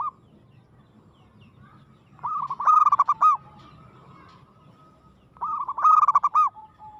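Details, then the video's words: Local perkutut, or zebra dove, giving an aggressive song: two loud trilled coo phrases about three seconds apart, each a quick run of bouncing notes ending in a held tone, over a low steady background hum. "suara perkutut gacor agresif mental baja"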